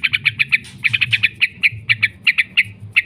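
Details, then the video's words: Yellow-vented bulbul lure recording of long 'ngekek' chatter: quick series of harsh, clipped notes, evenly spaced at first, then looser and slightly uneven, over a faint low hum. "trucukan gacor ngekek panjang sekali"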